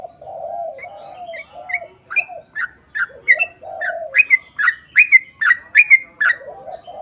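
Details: Sooty-headed bulbul in 'ropel panjang' chatter meant to lure other bulbuls to sing. It begins with low, hoarse notes, then builds into a quickening run of bright, slurred chirps that grow louder toward the end.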